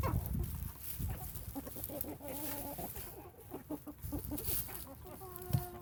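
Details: A 17-week-old German Bielefelder rooster at a hatchery in Rudd, Iowa, gives broken, breaking crow notes, choppy in the middle and steadier near the end, over a low rumble of wind or handling noise.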